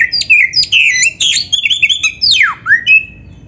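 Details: White-rumped shama (kacer) training recording for caged birds: a dense phrase of buzzy chattering notes ending in a long falling whistle and a short rising one.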